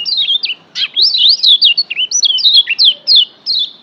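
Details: Lombok yellow white-eye, a tutor recording meant to fire up a pet bird's singing: a rapid, nearly continuous run of high zigzagging whistled notes, jumping up and down in quick succession for almost four seconds.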